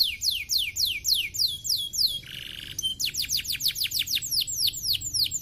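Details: Canary singing to prompt other canaries to join in: brisk series of falling whistled sweeps, a harsh buzzy trill around two seconds, then a fast even run of downward notes.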